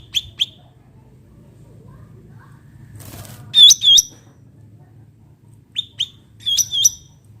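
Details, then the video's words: Wild bulbul, known locally as cucak ranting, giving sharp, high, hooked chirps in pairs and short runs, separated by pauses, with a brief rustle or flutter midway and a low background hum. "cucak ranting suara alam"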